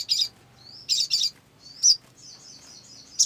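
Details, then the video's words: Olive-backed sunbird in lively song, offered as a lure: buzzy high bursts alternating with thin upslurred whistles and a sustained, wavering high twitter, ending on a sharp chip. "SOGON GACOR !! PANCINGAN SOGON AGAR BUNYI"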